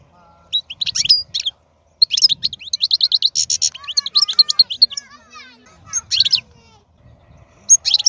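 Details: Wild-type European goldfinch with a strong voice singing long bursts of rapid, tinkling, buzzy twitter with trills and slurred notes, separated by short pauses with faint low background sounds.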